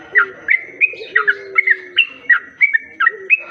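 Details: Lure call of a sooty-headed bulbul meant to attract others of its kind: quick, chirpy whistled notes, some with a downward flick, repeated about three times per second, backed by a low sustained tone.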